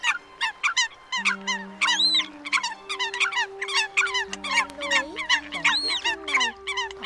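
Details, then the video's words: Eurasian coot calling apart from its flock during the 2022 autumn migration, recorded as a lure for night netting: dense rapid barking and squeaky notes from several calls overlapping, with sustained low droning tones beneath. "Tiếng Sâm Cầm Bản Đạp Nước Kêu Lẻ Bầy"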